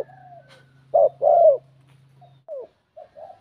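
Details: Bell-voiced spotted dove coo to provoke rivals: one loud phrase of short wavering note plus long falling coo, then faint scattered softer coos, with a low hum fading out midway.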